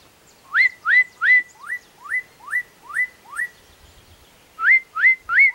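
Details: Black-capped donacobius singing: a loud series of rising whistled notes, each sweeping up and levelling off, repeated about every third of a second in two bursts separated by a short pause, with a quiet background.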